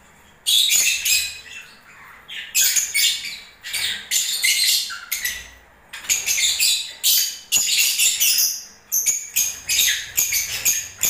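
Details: Lovebirds singing in breeding season: almost continuous high, scratchy chattering and squeaks in rapid bursts, with brief gaps between phrases.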